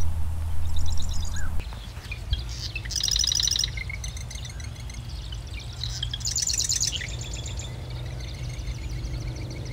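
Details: Marsh wren singing several short bursts of fast, mechanical, rattling trills, high and dry, separated by pauses of a second or two. A low rumble fills the first part of the recording.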